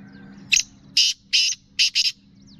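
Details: Calling female black francolin from Sindh or Punjab, the voice used to arouse males: five coarse, buzzy notes, the final two closely doubled, backed by a low constant hum.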